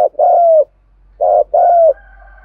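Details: Spotted dove from Đồng Nai, Vietnam, cooing to attract wild doves: two low coo notes, a gritty short one and a long steady coo easing downward, over a faint low hum.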